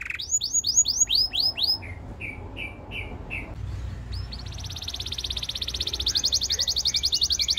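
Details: Canary singing for training, beginning with swooping repeated notes, then slow low chirps spaced evenly, followed by a long bright high trill.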